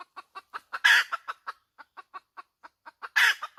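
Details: Short, evenly paced hen clucks accelerate into a loud, rough squawk, continue more slowly, then build to a second harsh squawk near the close.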